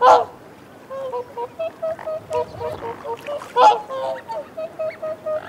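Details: Whooper swans recorded close up giving reassurance calls while feeding on a bank: a steady series of short, nasal, trumpeting honks about twice a second, with a couple of louder, harsher calls standing out.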